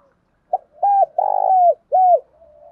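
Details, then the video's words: Spotted dove cooing to lure and fight another dove: a short soft note, then three low hollow coos, the middle one longer with a slight tremble, in a clean quiet recording. "Tiếng cu gáy thúc đấu và gáy gọi bổi nhanh gáy và nhanh về cội"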